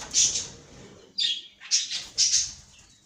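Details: One shrill chirp from a caged cockatiel, then three quick harsh squeaks about half a second apart over a quiet background.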